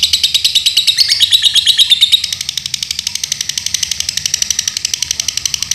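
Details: Lovebird from Paduraksa, Pemalang, Indonesia, in a sustained rapid chattering trill: loud, shrill pulses for two seconds, then a slightly softer, thinner continuation at the same quick pace.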